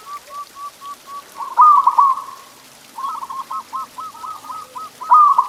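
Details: Zebra dove (local perkutut) masteran song meant to get pet doves singing: a run of short evenly spaced coos, then a rolling trilled phrase, a pause, and more stuttering trilled coos ending in a bright burst.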